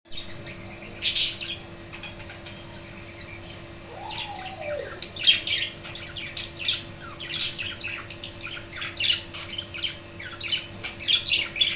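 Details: Budgerigars in a wooden cage with a nest box, after the death of the male father, give harsh, scratchy squawks and chirps. They come in scattered bursts, loudest near the start and growing busier toward the end, over a steady low electrical hum.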